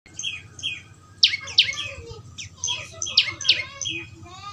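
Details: Young prinia calling, recorded as natural sound for training a caged bird to sing: sharp high chirps in loose clusters, with a pair of stronger squeaky notes near the middle, against a faint low hum.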